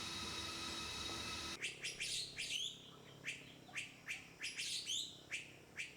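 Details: Philippine Fairy-bluebird, a Philippine endemic recorded on Luzon or the Visayas, gives a quick series of sharp, high, slurred whistles, about a dozen notes in four seconds, after a brief burst of hiss.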